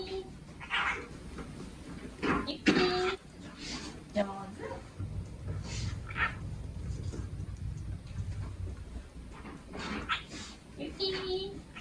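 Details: A young male cockatiel, estimated to hatch in February 2022, happily chatters to itself while waiting during room cleaning, in short, scratchy, speech-like bursts and squeaky notes.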